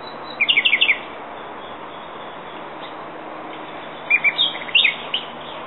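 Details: Common nightingale song in two brief phrases, each a quick run of sharp, repeated notes, separated by several seconds of steady hiss.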